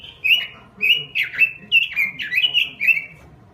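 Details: Energetic gacor robin song: a tight chain of loud, clear whistled notes, each bending down in pitch, delivered in quick succession with little gap between them.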